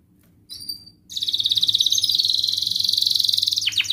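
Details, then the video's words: Canary singing as a lure for lazy birds: a short whistled note, a brief pause, then a sustained rapid buzzy trill ending in a few sharp downward sweeps. "Kenari gacor NGEREK MBARONG Cuit cuit NGEROL ini terbukti Ampuh untuk pancingan Kenari Malas BUNYI"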